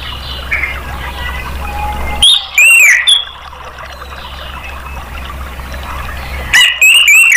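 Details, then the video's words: Orange-headed thrush lure song for caged birds: two short bursts of loud, slurred whistles with quick downward slides, separated by several seconds of quiet background murmur. "TERAPI ANIS MERAH bikin ikut NGEPLONG"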